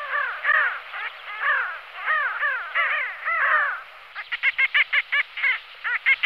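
Pin-tailed sandgrouse give harsh, nasal, crow-like calls: several birds overlap at first, then a quick run of short clipped notes follows, about four a second.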